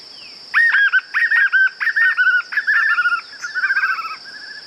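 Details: Clean recording of white-eared puffbird song: a four-second stream of rapid, arched, slightly buzzy notes grouped in fast bursts, gradually softening and quickening toward the end, over a persistent high insect hum.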